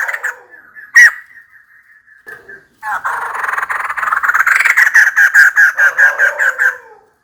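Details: Female white-crested laughingthrush calling for a mate: after a few scattered notes comes a long, rapid, rhythmic laughing chatter of many harsh pulses. The chatter swells in loudness, then breaks into spaced notes before stopping.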